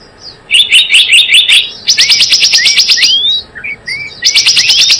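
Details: Java sparrow trapping-lure recording: bursts of sharp, rapid chirps, then quick clicking notes mixed with short rising whistles, and a final loud chatter of fast repeated chips.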